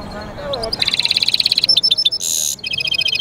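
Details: European goldfinch mule singing: a brief low warble, then a rapid high trill of repeated notes, a short buzzy burst and further chattering trills, all quick and tinkling.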